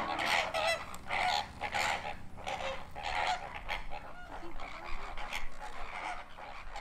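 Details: Hundreds of greater flamingos (Phoenicopterus roseus) at close range at Parc Ornithologique de Pont-de-Gau, southern France, honk in a goose-like chorus. Harsh nasal calls overlap in bursts about every second over low rumbling background noise.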